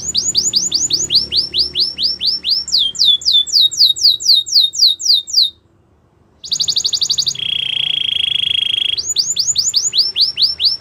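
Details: Belgian canary song made of repeated sweeping whistled notes, each falling in pitch, delivered in long series about four per second, broken by a short silence, then a buzzy steady trill and more swept notes.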